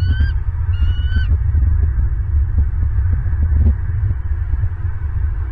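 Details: At night, a male bald eagle joins his mate on a branch beside their Southwest Florida nest, caught on a live camera. Two clear, slightly descending whistled calls come in quick succession, followed by steady low camera hum.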